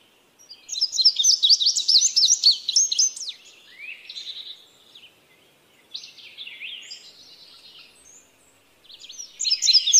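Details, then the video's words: An Indigo bunting (Passerina cyanea) gives a bright, high, jumbled phrase of quick paired notes, then fainter softer notes, and starts another phrase near the end. "Indigo Bunting (Passerina cyanea)"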